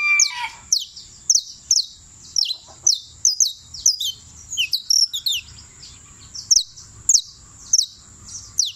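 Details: Champion canario criollo (saffron finch) from Turbo, Antioquia, singing a rapid series of sharp, high notes that sweep downward, repeated roughly twice per second over a steady high-pitched background tone.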